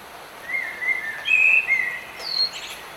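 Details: Bird song during rain: a string of clear whistled notes at similar pitch, the middle one loudest, ending in a short high descending twitter, with a constant rain hiss behind.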